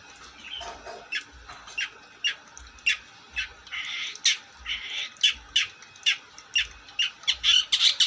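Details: Long-tailed shrike, a kept songbird, singing: harsh squawking notes and brief chirps repeated in a steady rhythm of about three per second, with faint low thumps underneath.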